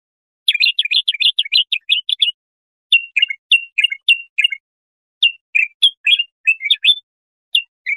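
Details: Bulbul singing, a recording meant to teach young goldfinches or hybrids: an opening rapid run of twittering notes, then spaced chirpy phrases of two or three bright notes, in a clean, quiet background.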